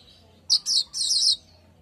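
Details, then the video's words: Weaver, lively at midday, giving a short burst of high, scratchy chattering notes, one quick chip followed by two longer grating phrases, over a quiet background. "GACORRRRRRR siang burung Manyar"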